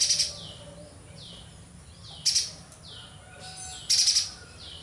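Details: High, rapid rattling chatter from a vigorously singing streaked spiderhunter in three brief bursts, with repeated soft downslurred whistles continuing in the background.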